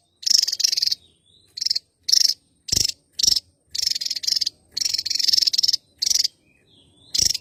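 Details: Java-endemic Javan tesia singing energetically: high, scratchy, rapidly pulsed trills, some short and some drawn out over a second, with faint thin whistles in the gaps.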